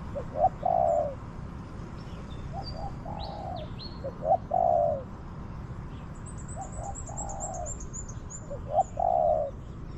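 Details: In an orchard a wild spotted dove answers a decoy, giving three phrases about four seconds apart, each of two soft coos and a long burred croo, while another bird adds high rapid twittering trills.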